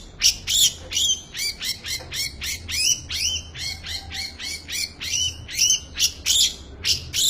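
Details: Long-tailed shrike in full isian song, a variety-filled performance of rapid, scratchy, rasping high notes tumbling almost without pause, uneven in rhythm and loudness, over a low steady hum.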